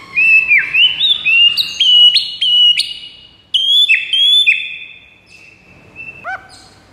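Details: White-rumped shama with a fast series of sharp, upswept whistles, about eight in quick succession, then softer held notes and a brief falling trill.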